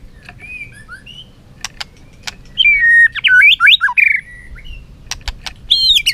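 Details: White-rumped shama singing in competition with tail flicking: soft whistles and clicks at first, then a loud burst of zigzag swooping whistled notes, followed by more clicks and a final rising phrase.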